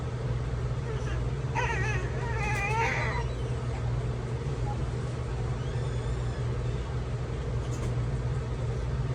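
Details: Amazon parrot imitating a crying baby: two bursts of wavering, sobbing harmonic wails mid-clip, then a fainter drawn-out cry, all over a steady low hum.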